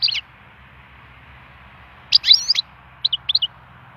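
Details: Wild European goldfinch singing to stimulate song: a short burst of twittering notes, then a tight cluster of bright, tinkling chirps followed by a few separate high twitters, with long quiet gaps between.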